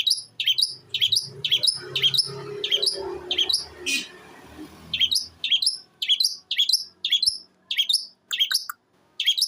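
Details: Long-tailed shrike aged eight months, from Jember, East Java, singing imitated sparrow, kuntilanak and tengkek buto phrases: repeated sharp high slurred notes roughly twice a second, with a rustling noise early on.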